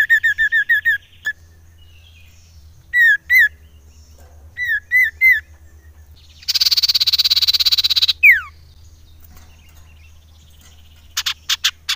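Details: Common iora calling as a lure: groups of short downslurred whistles in twos and threes, then a long harsh buzzy trill of about one and a half seconds, a falling whistle, and a final burst of quick notes.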